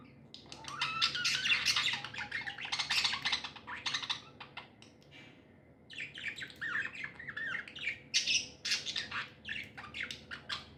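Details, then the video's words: Happy budgerigars in a long bout of loud, harsh chattering and squawks, a short lull midway, then renewed scratchy warbling and chirps. "Happy budgies chirping sounds"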